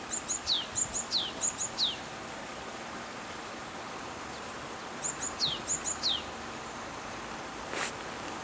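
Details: Song of a Japanese tit: a run of three rhythmic phrases of high pips and a falling whistle, a quiet gap, then two more phrases. A brief broadband click near the end stands out over low steady background noise.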